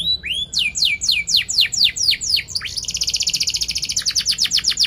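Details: Sharp, lively canary song for tutoring young birds: a string of loud downward-swooping whistles about four per second, then a rapid buzzy rolling trill of evenly repeated notes to the end.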